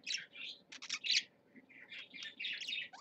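A parakeet chatters in quick, high, scratchy chirps and warbles, run almost without pause, over a faint low hum.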